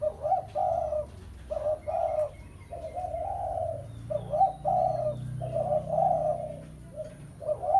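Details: Spotted dove, pesom style, used as a lure to call out a rival. Steady runs of husky coos in short and long notes continue almost without break over a low background hum.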